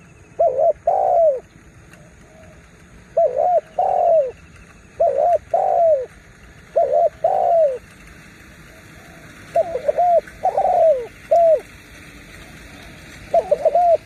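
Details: Spotted dove used as a lure to attract wild birds, giving short groups of hoarse, rising-falling cooing notes in phrases every two seconds or so, over steady low background hum.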